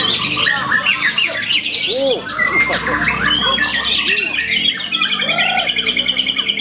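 White-rumped shama pouring out a dense, varied song of rapid high trills, sharp chips and harsh squawks, with a few low, rounded whistles mixed in.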